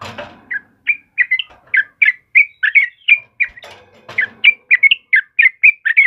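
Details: Yellow-vented bulbul chirping busily in a lure recording for caged birds: a noisy rustle opens it, followed by regular bright chirped notes about three per second.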